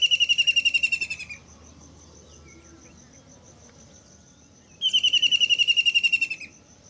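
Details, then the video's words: White-throated kingfisher, locally called kaudilla, giving two loud, rapid, rattling trills of about fifteen evenly spaced sharp notes each, the bursts about three and a half seconds apart, over a steady high insect hum and soft background noise. "White Throated Kingfisher Peaceful Sound (कौड़िल्ला)"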